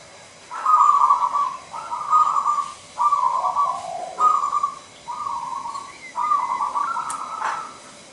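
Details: Local wild-type zebra dove in full 'nggayer' song: seven or so steady, buzzing coo notes of similar pitch in a regular series with brief gaps, one dipping lower, plus a faint click near the end.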